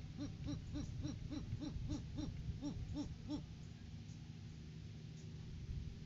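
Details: Great horned owl pair visiting their nest tree in January courting season, caught on a live cam as the male brings a rodent food gift to the female. About twelve quick, even, low hoots, then a stretch of quiet with background hum.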